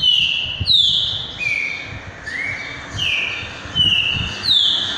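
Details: Green-winged saltator singing a repeating song style: loud clear whistled notes, some sliding down, others rising, in quick series at about 85 per minute, over low background rumble.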